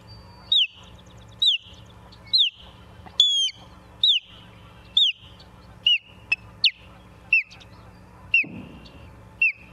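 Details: At a Charlo, Montana osprey nest on the evening of 28 September 2023, an osprey gives a long series of piercing downslurred whistles, roughly one per second, with one higher squealing note midway.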